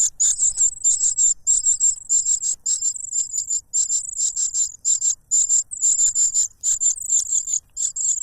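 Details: A cuckoo chick noisily begs and snatches food from its foster father, who blocks its beak with a butterfly; insistent high pulsed calls pour out almost without pause, mixed with a few longer drawn notes.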